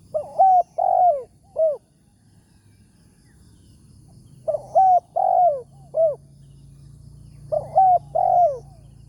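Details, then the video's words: Wild spotted dove with a big voice, described as 'tarik akar' style, lured by a decoy during a morning bird-trapping outing; three separate phrases of three to four low, mellow coos, each with a bent, drooping note, spaced by quiet pauses. "TEKUKUR SUARA BERSAR"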